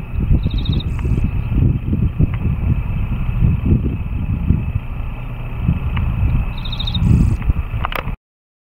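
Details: Male dickcissel singing at Savannah Bottoms by Hwy 64, 6 May 2018: song twice, about six seconds apart, a quick run of chipped notes ending in a dry buzz, over heavy low wind and traffic rumble.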